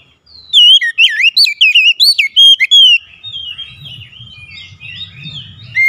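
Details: Kacer, the oriental magpie-robin, challenging a rival bird: a rapid run of rich, looping whistles rising and falling for about three seconds, followed by quieter twittering phrases over a low hum.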